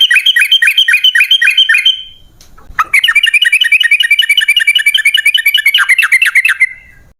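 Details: Sooty-headed bulbul lure song, trucukan ropel panjang, to make caged birds sing: a two-second burst of sharp rapid notes, a short gap, then a long, fast, evenly paced chatter ending in drawn slurs.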